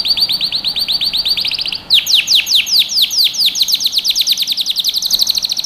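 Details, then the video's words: Canary song used to train young birds: a rapid high trill, then after a brief break a long chain of loud descending whistled sweeps repeated steadily to the end. "Canary Singing | Melodies Canary Bird Song | Training Video"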